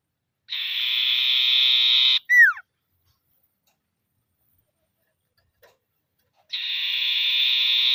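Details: Common iora in full voice, calling rivals, used as a lure: a steady buzzy trill of about 1.7 seconds ends in a short, clear, falling whistle, and a second trill starts after a silent gap of about four seconds.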